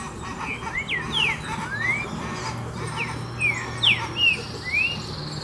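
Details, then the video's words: Green-winged saltator (trinca-ferro) singing in the 'pura fibra' style: clear whistled slurred notes, some sweeping down and others rising, given in an irregular series of about a dozen phrases over steady low background hum. "Canta Facil Pura Fibra De Trinca Ferro"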